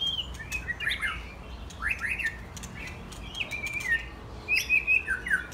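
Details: White-rumped shamas, young adults mostly in first molt, having fun together; rich burbling phrases with quick slurred whistles and rapid twittered notes, several bursts spread across the recording, steady low hum behind.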